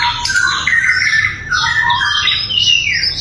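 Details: Sikatan londo flycatcher song, recorded as a training example for other songbirds: loud, clear, varied run of quick whistled slurs and chattering notes, jumping between high and mid pitches without pause.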